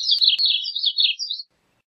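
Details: Gray-cheeked thrush (Catharus minimus) song: a single high, reedy phrase of about one and a half seconds, fluttering in quick wavering notes that end on a slightly higher note, with two sharp clicks near the start.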